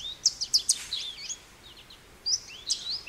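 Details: American goldfinch giving a few sharp, high chips and thin slurred whistles, with a quiet pause before two more bright notes; soft background hiss throughout.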